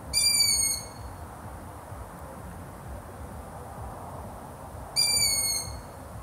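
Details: Long-eared owl calling twice, about five seconds apart: each a shrill, drawn-out squeak that sags slightly in pitch, with soft steady hiss between calls.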